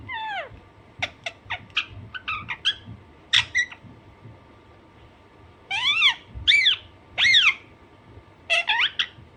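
Alexandrine parakeet giving harsh, squeaky calls, a few quick clipped notes, then loud rising-falling screeches about a second apart.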